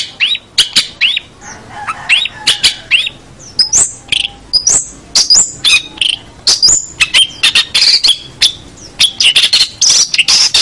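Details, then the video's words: Long-tailed shrike master song for training other songbirds: a fast, varied run of harsh chattering bursts, rising whistled notes and scratchy buzzy phrases, many sharp clicks between them, loud throughout with short pauses. "Masteran Suara Pentet Cendet"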